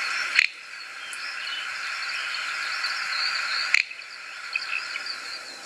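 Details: A male little bustard singing in the rain gives two short, dry snorting 'prrt' notes about three seconds apart over a steady hiss of rain and insects.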